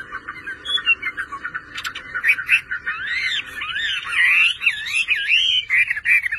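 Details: A pet Chinese hwamei sings, starting with soft, fast chattering notes and building into loud, looping whistled phrases that swoop up and down, growing fuller toward the end.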